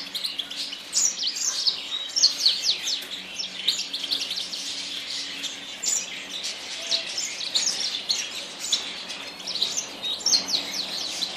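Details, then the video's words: Long, steady twittering by a Yasmin bird: continuous high chirps and flicking notes repeated densely for about eleven seconds, with a faint low hum in the background. "تغريد طائر ياسمين"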